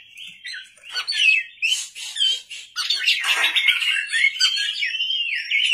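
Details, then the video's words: Night-time lure song of an Oriental magpie-robin (kacer) in full voice: rapid, scratchy, high twittering bursts give way to a long run of rolling, warbled whistles on a clean, quiet background. "pancingan kacer gacor malam hari"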